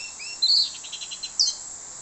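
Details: Orange-headed thrush song used as a lure for other birds: a loud, high whistled note, then a quick run of about six soft, buzzy chirps and a second sharp note, over a steady high hiss.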